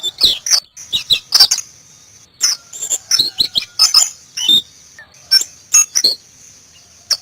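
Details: White-eye (Zosterops) singing in the wild, uttering clusters of high thin chirps and quick twitters separated by brief pauses.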